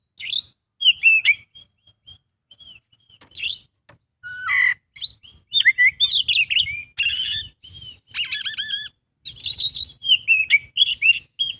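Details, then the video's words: Oriental magpie-robin's 'isian' song full of imitations, starting with sparse sharp whistles and building into dense, varied runs of twittering, buzzy and slurred notes. "kacer isian full"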